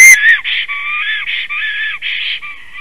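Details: Black stork in Latvia singing a long song on arrival at its nest, 17 April 2019, afternoon: a steady string of short, nasal, wheezing notes, each with a dipping lower tone, following a sharp click.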